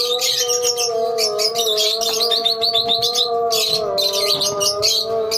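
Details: Lovebird colony in dense, continuous high-pitched chattering and squeaky chirps from many birds, over a steady low tonal hum.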